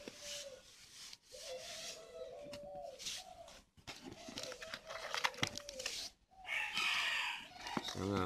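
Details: Captive breeding spotted doves with coarse voices, kept on a bird farm near Ba Vì, Hanoi, Vietnam; low, hollow coos drawn out in short phrases and repeated several times, with clattering, rustling and indoor noise between them.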